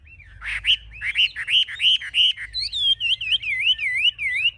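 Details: Caged Chinese hwamei, a fierce fighter posing with lifted wings and spread tail, sings strong slurred whistles repeated several times a second, then shifts to a higher, rippling series of rolling, wave-like notes.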